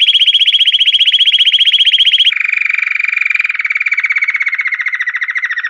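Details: Belgian canary in bell-like 'campainha' song, rapid even trills of pulsed notes, a high roll stepping down to a lower, slightly falling trill.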